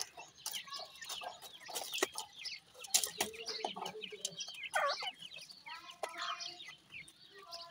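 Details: Captive francolin chicks feeding, giving a busy chorus of short high peeps and downslurred chirps, mixed with clucks and sharp clattering knocks, with a louder slurred note near the middle.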